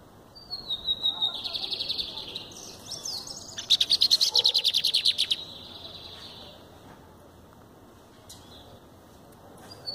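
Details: Lined seedeater (bigodeiro) of the Verdin song style, held in the hand: sustained high whistles with a wavering tone, then a fast stuttering series of sharp repeated notes, followed by quiet with faint background noise.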